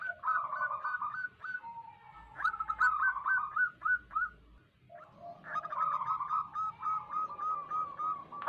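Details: ['Quieter zebra dove song from local wild birds, used to lure wild doves. Hurried strings of short coos and rolled notes overlap. A faint low hum is present.']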